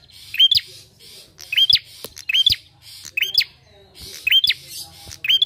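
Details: Bar-winged prinia, used as a lure to prompt other birds to sing, repeats bright upslurred chirps about every half to one second, about seven in all, over soft hiss and faint hum.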